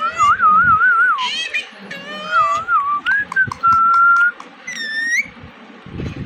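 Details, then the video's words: Talking Indian ringneck parakeet alternating a quavering whistle with harmonic, speech-like syllables, then a held flat tone and a high rising squeak, with clicks and faint background rumble. "Indian Ringneck Parrot 🦜Talking"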